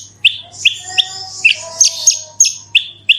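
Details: Horsfield's bush lark singing lure in 'gacor super roll tembak' style, meant to trigger other kept birds into song: sharp descending whistled notes repeated roughly three times a second, with a thin high trill behind and a low electrical hum.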